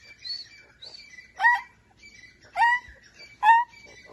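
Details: Francolin giving three loud, separate rising notes spaced about a second apart, with fainter thin whistles and soft chatter between them.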